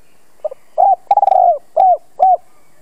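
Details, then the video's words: Spotted dove used as a decoy, cooing to bring wild doves in: a quiet double note, a hollow coo, a stuttering extended coo falling at its end, and two more rounded coos in clean, quiet surroundings. "Tiếng chim cu gáy gọi thúc bổi nhanh lên mồi"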